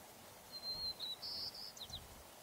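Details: One complete song from a white-crowned sparrow singing a slightly different variant: a clear sustained high whistle, a short slurred note, a long buzzy phrase, then a few rapid descending chips, against soft background noise.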